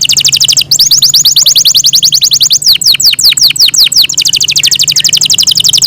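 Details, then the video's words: Yorkshire canary, a kept bird, singing a loud continuous song of rapid repeated trills: fast high notes in runs, switching to slower downward-sweeping whistled notes mid-way, then back to rapid high trills, with a faint low hum beneath. "yorkshire canary long melodious sound"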